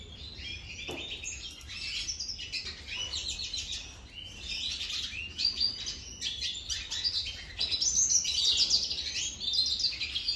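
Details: European goldfinch at breakfast, feeding: busy, high-pitched twittering of quick chirps and short buzzy notes, nearly continuous and irregular for ten seconds, growing louder toward the end.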